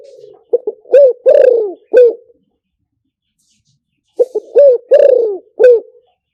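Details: Spotted dove luring call played for decoying birds: two phrases, each of two short clipped coos, a rounded coo, a long drawn-out falling coo and a short final coo. The phrases are separated by about two seconds of silence.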